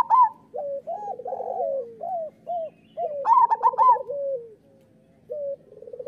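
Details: Local zebra dove song meant to train lazy or molting doves: spaced short coos and trills, a loud bright burst in the middle, then a few softer trailing coos.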